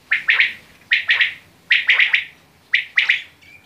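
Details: Quail repeating a clear two- to three-note rasping phrase about once per second, each note falling in pitch, phrases evenly spaced, quiet surroundings.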